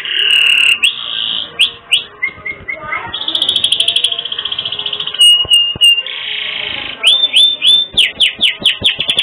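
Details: Canary in full song with unique ornamented phrasing, used for teaching other birds: long steady buzzing trills alternate with clusters of slurred whistles, a clear held note, and a closing burst of quick repeated sweeping chirps.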